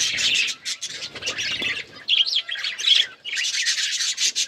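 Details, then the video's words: Chatter from hand-tame pet budgies: scratchy warbles, a few sharper squawk-like chirps in the middle, then dense twittering again. "My beautiful hand tame budgies birds chirping"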